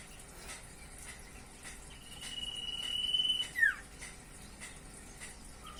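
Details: Common iora (sirtu, cipoh) singing: a single prolonged flat whistle rising slightly in strength, closed by a quick downward slur, against faint background noise.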